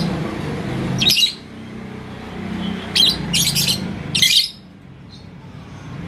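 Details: Yellow lovebird (labet koneng) in Indonesia, answering a rival's provoking song with shrill, buzzy high bursts, a short cluster of three near the middle, over steady low rumble.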